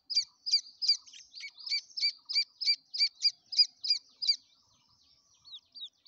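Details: Grey francolin chicks calling: a series of high, sharp chirps, about three per second, steady for over four seconds, then a pause and a few fainter, thinner downslurred peeps at the end.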